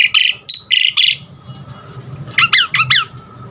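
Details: Varied song of an Asian pied starling, meant to trigger caged birds into full song: loud harsh rasping squawks with a brief pure whistle, a pause, then quick chattering chevron-shaped notes.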